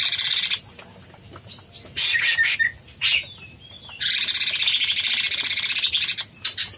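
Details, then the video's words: Cucak cungkok bulbul delivering long chattering phrases: repeated harsh buzzy notes, a short whistled slur, then a sustained rapid scratchy run lasting over two seconds. "Suara burung cucak CUNGKOK gacor"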